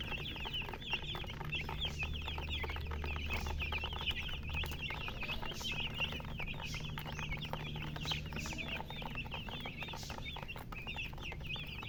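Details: Many baby chickens chirping together, a continuous busy stream of thin high peeps overlapping without pause, with low droning hum beneath throughout.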